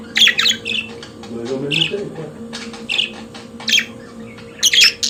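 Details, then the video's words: Pet budgerigars singing indoors: scattered short chirps and squeaky warbles, with quiet gaps between bursts and a steady low hum underneath. "Periquito Australiano de Estimação Cantando Som de Pássaros de Periquitos Naturais"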